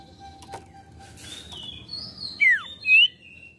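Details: Common iora lure song meant to make a wild-caught bird sing quickly: faint wavering whistles lead into a clear steep downslurred note followed by a brief upslurred whistle.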